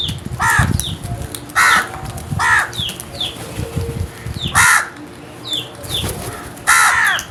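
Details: A crow caws repeatedly in rough, harsh bursts, about six over seven seconds and some in quick pairs, with low knocking sounds and small-bird chirps underneath.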